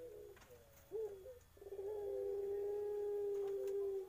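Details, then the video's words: Drawn-out coo from a young Eurasian collared dove: short wavering notes, then a long, level, mellow tone held for over two seconds, in a quiet room. "SUARA PUTER IRAK MUDA"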